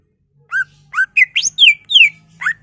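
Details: Greater green leafbird delivering varied song as a stimulus for other leafbirds: seven loud notes, upward-sweeping whistles followed by sharply falling slurred ones, over a quiet hum.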